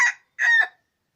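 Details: Yellow-and-white wild junglefowl giving two short, harsh crowing bursts, a brief grating note followed by a longer, buzzy, slightly wavering phrase that cuts off abruptly into silence.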